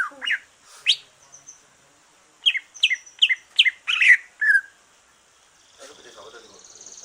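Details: Greater green leafbird after moulting, singing to stimulate other leafbirds: scattered rising whistles, then a quick run of five sharp chirps and a slurred note, followed by quiet, with a man speaking briefly at the end.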